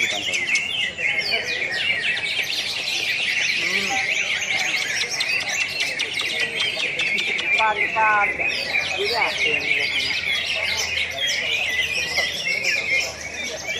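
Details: ['Class A greater green leafbird singing contest, Road to Presiden Cup IV, Pontianak, West Kalimantan, April 2016: a thick wall of rapid high chattering and whistled notes from many birds, with some human voices mixed in.']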